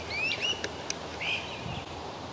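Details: In Kitchener, Ontario, two Great Crested Flycatchers, probably a mated pair, call to each other from the trees while not actively hunting. They give clear, rising whistled calls under half a second long, a second apart, with faint clicks and outdoor hum.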